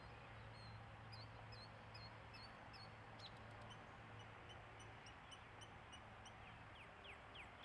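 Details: Mockingbird singing a string of repeated short downslurred whistles, followed by a series of sharp clicks and quick rising notes, each phrase type repeated several times, over constant low-pitched hum and background noise.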